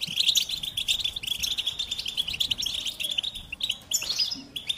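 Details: Goldfinch pouring out a quick twittering song of high liquid chirps and little buzzes, ending in a sharper burst of notes.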